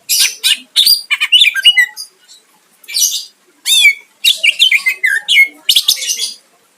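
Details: Singing greater green leafbird used to lure a rival into replying: energetic volleys of high chips, buzzy sweeps and clear downslurred whistles in quick phrases, separated by short silences, no other sounds.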